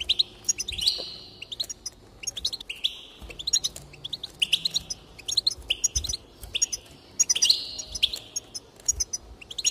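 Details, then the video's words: A goldfinch twitters steadily to encourage singing, alternating crisp high chirps with repeated wheezy buzzing phrases roughly every second or two. "increase the enthusiasm of the goldfinch and encourage it to song"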